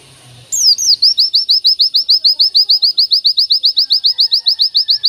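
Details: An Oriental white-eye, in training audio of a long, unbroken singing burst, delivers a long, steady run of high, sharp, slightly upslurred chirps, about five per second, after a brief low hum.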